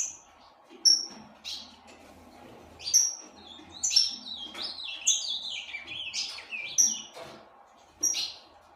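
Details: Caged Ultramarine grosbeak, a tournament-type bird from a breeding facility, singing bright, high chirped phrases: short sharp notes and quick warbled runs broken by brief pauses, with a faint low hum underneath.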